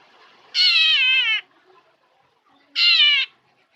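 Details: Black drongo mimicking a cat as part of its song: two drawn-out, nasal, meow-like harmonic calls, each about a second or shorter, separated by a quiet gap of roughly a second and a half.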